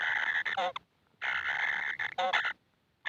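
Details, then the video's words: Young kingfishers asking to be fed: coarse buzzy rasps in two main bursts with a quiet gap between them and a fresh burst at the end. "BABY BIRD KINGFISHER ‼️ YANG TAK PERNAH KENYANG ATAS MAKANAN"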